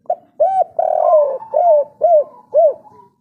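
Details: A local "kuk 3" spotted dove gives a series of soft, mellow coos, each an arched hooting note, about two a second, with one longer drawn-out coo in the middle.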